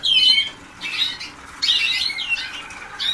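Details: Waterslager canary youngsters only days into their song training give loud, slurred high warbling notes in three main bursts separated by brief quieter gaps.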